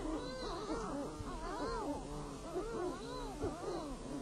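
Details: Noisy sooty shearwaters, known as titi, calling from burrows at night on Rangatira island; overlapping groaning, arching calls from many birds repeat roughly once a second, with faint higher tones in the background.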